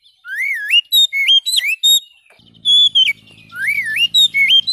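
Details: Oriental magpie-robin song: loud, clear whistled phrases with swooping rising and falling notes, separated by short pauses.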